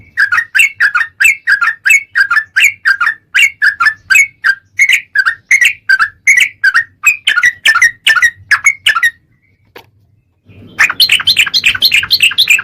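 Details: Sooty-headed bulbul song used as a lure to make birds sing: rapid, evenly repeated two-note whistled phrases for about nine seconds, a brief silence, then a dense chattering outburst.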